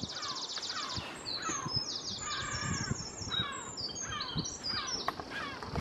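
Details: Pair of Lesser black-backed gulls mobbing a buzzard over a garden, giving harsh, laughing alarm calls in rapid overlapping bursts, several per second, against a steady outdoor background hiss.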